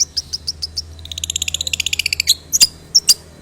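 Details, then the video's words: Long-tailed shrike song played to draw out other shrikes, heavy with imitated material like sparrow fighting calls; spaced high chips, then a rapid two-second run of ticking notes, ending in loud sharp bursts. "CENDET ISIAN GANAS Pancingan Ampuh Burung Trotol Gacor"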